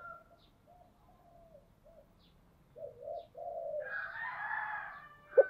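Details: Decoy spotted dove cooing to lure wild doves: several low, soft hooting coos, then a louder, rougher burst of higher sound near the end.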